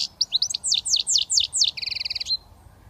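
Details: Young European goldfinch from Britain, just beginning to whistle, runs through quick bright downslurred chirps in a steady series, then a fast buzzy double-toned trill.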